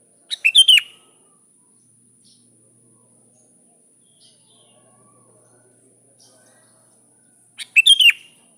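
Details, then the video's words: Sooty-headed bulbul calling a rival, two short bubbly whistled phrases of quick slurred notes about seven seconds apart, with near silence between them. "Suara Burung kutilang gacor memanggil lawan"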